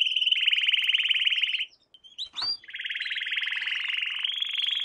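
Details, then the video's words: Young canaries' training lesson of canary song: a rapid steady trill, a brief gap with a sharp upsweep, then a second long rolling trill rising slightly at the end. "Canary Singing - lesson 16"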